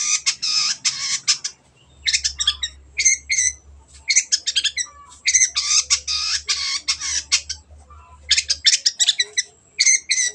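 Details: Long-tailed shrike singing hard, intended to spark song in quiet birds: harsh, rasping chatter in dense bursts alternating with brief pauses, with a low hum in the background.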